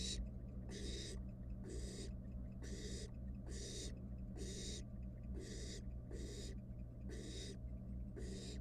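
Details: Wild barn owl nestling in a monitored nest box, playing with its dinner; harsh broadband hissing bursts, each about half a second, repeated roughly once a second over a steady low electrical hum.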